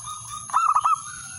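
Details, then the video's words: Male zebra dove challenging a rival: a single rapid phrase of rounded cooing notes, with a continuous high-pitched whine in the background. "suara perkutut/merbok jantan memanggil lawan"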